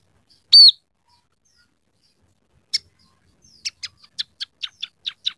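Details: A captive Scaly-breasted Munia's song, used as a training recording and filled with copied canary, house sparrow and red siskin phrases: one loud, high whistled note, a click, then a quick run of about nine short buzzy chips, roughly five per second.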